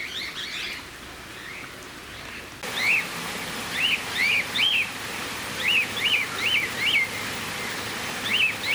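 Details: Cockatiel recorded 31 March 2018 at Campbelltown Forest of Wild Birds in Saitama, Japan: after a quieter start, clear arched whistled notes rising then falling, repeated in pairs and triplets about ten times, over constant background hiss.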